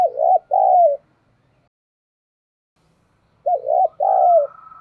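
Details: Decoy spotted dove in giọng thổ style, used as a lure to make wild birds coo; two mellow two-part coos separated by about two and a half seconds of silence, the second part of each drawn out and falling.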